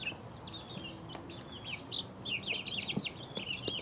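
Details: Chicks aged two weeks peeping, sparse high chirps at first building into a crowded run of quick overlapping peeps, with a few soft taps below.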